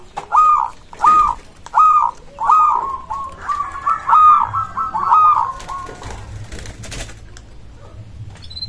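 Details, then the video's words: Local zebra dove singing a song that draws replies from other doves: bright, rolling coos repeated about every 0.7 seconds, then blurring into a longer trilled run, ending with clicks and low rumbling. "Perkutut lokal suara ini disukai burung perkutut langsung nyaut"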